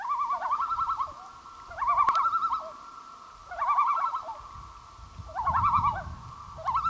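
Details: Common loons on Gavia Lake, 2011: repeated laughing, wavering bursts of rapid notes, one roughly every one and a half seconds, with a low rumble beneath some phrases.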